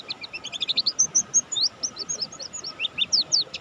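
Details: Mountain white-eye of the buxtoni form singing prolifically: a fast, busy run of high, thin, downslurred chirps and twitters, densely packed and repeated without pause, over a faint steady hum.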